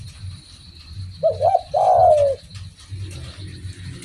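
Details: A spotted dove in vigorous voice gives one cooing phrase. A rising-and-falling double note comes first, then a longer smooth coo that tails downward, over a low droning background.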